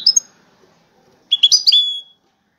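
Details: European goldfinch entered in a five-bird singing contest, widaniya style; a quick two-note chirp, a pause, then a tight cluster of sharp tinkling notes ending in a drawn-out buzzy tail.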